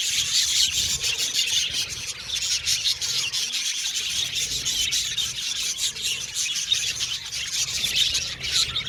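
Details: Colony of budgies calling continuously, a raspy, scratchy high chatter mixed with quick chirps, steady in volume from start to end.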